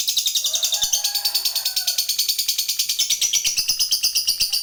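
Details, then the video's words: Long ngekek trill from a lovebird fighter, meant to prompt other lovebirds to trill: a dense, high, rattling chatter of evenly repeated pulses running unbroken throughout, with faint lower warbling beneath at first. "Suara Burung Lovebird ini PINTAR Sekali Bikin Labet Cepat Ngekek"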